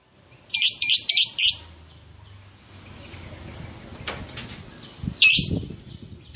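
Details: Caged lovebird used to provoke other lovebirds: four quick harsh high chirps, a stretch of low background rumble and faint noises, then two more shrill chirps.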